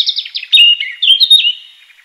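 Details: A wild European robin singing a short, clear phrase of high, thin warbled notes, rapid trills and sliding whistles, with a few quick chips fading out at the end.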